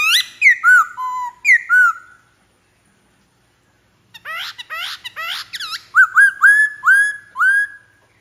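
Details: Black-throated laughingthrush singing: bright slurred whistles, a silent gap, then fast complex warbling notes leading into a string of about six repeated upslurred whistles.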